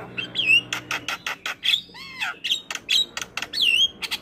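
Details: Javan myna song used as a master recording for training starlings, full of fill-in phrases: rapid harsh chatter broken by sweeping whistles, rising and falling, dense and loud.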